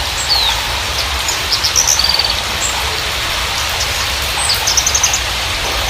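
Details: Javan bushlark, parva form, in a lure recording for birds that are new or have stopped singing. A high downslurred whistle opens, then quick clipped trill bursts repeat amid steady heavy hiss.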